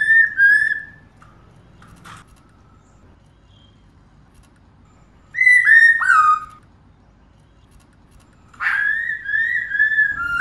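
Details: A female black-throated laughingthrush calling continuously to excite males: a descending whistled phrase, silence, then slurred falling whistles, then a longer run of warbling whistled notes.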